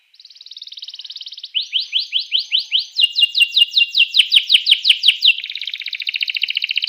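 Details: Canary song played to make rival canaries sing: a soft fast trill, then a series of loud rising whistled notes, quickening into sharp repeated chips, and finally a dense rolling trill.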